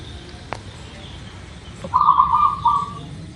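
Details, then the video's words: Local zebra dove in Indonesia, used as a lure to get birds singing quickly: one fluttering, purring coo phrase of about a second near the end, after a quiet stretch with faint higher bird notes in the background. "Suara Perkutut Lokal | Pasti Gacor | Pancingan Agar Cepat Bunyi"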